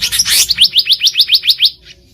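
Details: Black-naped monarch in the wild, opening with a rough burst and then a clean series of about nine sharp, upward-sweeping high notes spaced evenly, fading into quiet.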